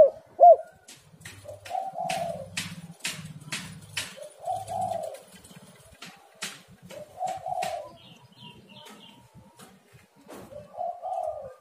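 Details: Spotted dove lure recording to get doves calling: one sharp loud coo at the start, then soft two-part cooing phrases repeated every few seconds among clicks and tapping noises.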